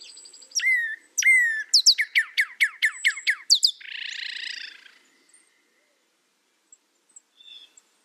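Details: Northern cardinal song: two clear, downslurred whistles, then a fast series of about eight sharp, sliding notes, ending in a short harsh, buzzy burst before quiet.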